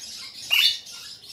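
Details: Cream ino lineolated parakeet, recorded 2022-11-21, gives a single brief high squeaky chirp that sweeps upward, with faint background hiss.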